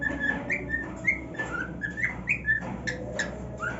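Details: Male pet cockatiel singing on his new nest: short whistled notes, some rising, some flat, given in an uneven string over a low steady hum.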